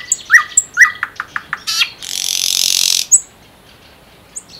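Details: Common nightingale singing in the wild in the Unzha river floodplain and Kologrivsky Les reserve: two rising whistled notes, a quickening series of dry clicks, a rasping buzzy passage, then a high thin whistle.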